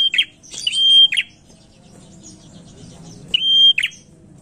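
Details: Energetic prinia song used as a lure: a quick run of three sharp, steady high whistles with buzzy edges, a two-second pause, then two more strident notes. Soft low rumble underneath.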